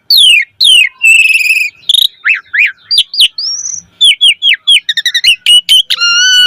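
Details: Asian pied starling singing its full varied repertoire, used to encourage starlings to sing: falling whistles, a sustained warbling tone, zigzag slurs, a rising whistle and quick stuttered notes.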